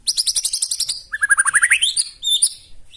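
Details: White-rumped shama in loud provoking song: a rapid high buzzy trill followed by a climbing run of quick whistled notes and sharp high flourishes.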